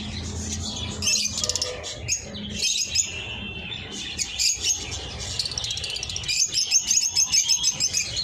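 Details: Eye-ring lovebirds chattering almost continuously with high, shrill, squeaky chirps, becoming a rapid repeated twitter toward the end, with low humming in the background.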